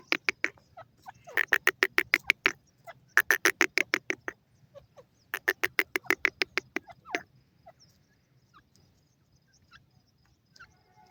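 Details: Grey francolin, a female accompanied by chicks, giving noisy penetrating calls: fast runs of harsh rattling pulses in three bursts of about a second each, then quieter scattered peeps.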